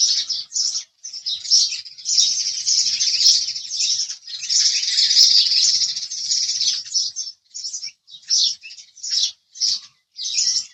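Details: Chirping house sparrows, a continuous chattering mass of high, scratchy notes through the middle, breaking at both ends into separate short chirps spaced under a second apart.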